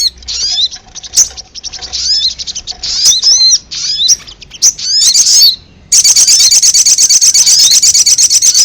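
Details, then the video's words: Lure recording of a ruby-cheeked sunbird, meant to draw wild birds in: thin, high chirps and twittering phrases broken by brief pauses, then after a short gap a continuous fast, buzzing trill to the end. "Suara pikat burung sogon paling ampuh"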